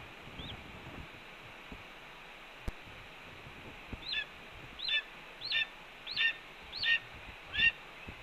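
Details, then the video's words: Red-tailed hawk at a Cornell nest, morning of 7 April 2013, announcing a food delivery. Faint single call early, then six sharp downslurred calls spaced under a second apart, with soft background noise. "BR's Breakfast is Announced By BR and Delivered by Ez"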